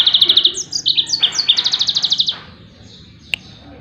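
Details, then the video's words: Yellow-fronted canary song used to train other songbirds: a continuous run of rapid high chirped notes in several quick trilled phrases over two seconds, followed by quiet and one sharp click. "SUARA TEMBAKAN BURUNG MOZAMBIK || COCOK BUAT MASTERAN"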